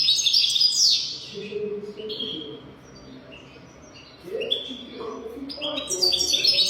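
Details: 'Golden throat' singing by a European goldfinch, intended to teach young goldfinches. Loud jangling twitter opens and closes the passage, with quieter high notes and a low human voice in the middle.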